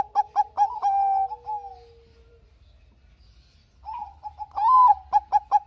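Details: A Bangkok zebra dove, singing vigorously as a lure for lazy birds, ends a phrase with clipped notes and a long held tone. After a quiet pause a new phrase starts with a coo and repeated short beats.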